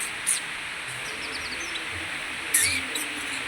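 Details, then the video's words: Oriental white-eye chirping in the rain at midday: a sharp high chirp, a short run of thin descending notes, then another bright chirp near the end, over steady rain hiss. "burung pleci lur lagi ngeriwik lur di hujan siang"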